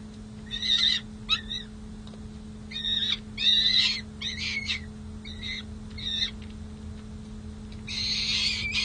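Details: Peregrine falcon chicks at a nest box on San Jose City Hall, May 27, 2024, as the chicks leave the box and sleep out on the ledge: harsh, raspy screeching calls in short bursts with gaps between, over a steady electrical hum.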